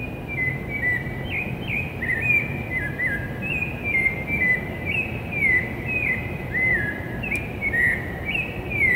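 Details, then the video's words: Pre-dawn song of a Rufous-bellied thrush in the city of São Paulo, Brazil, September 2017: rich whistled notes delivered in a flowing, varied sequence of brief rising and falling phrases, with constant low-pitched urban rumble beneath. "Sabiá-laranjeira cantando de madrugada"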